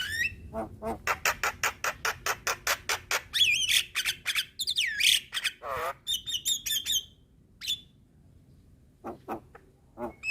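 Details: Black-winged myna, a cage bird recorded as a training song for other birds, sings in a lively, chattering way: a fast run of harsh, broadband rasping notes, then twisting whistled slurs and a descending buzzy sweep, followed by a pause and a few scattered harsh notes.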